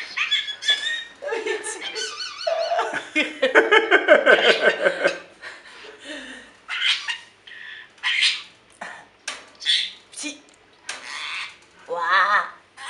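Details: Pet parrot talking: a run of scratchy, voice-like syllables and warbling phrases, some squeaky and wavering, in short bursts with pauses.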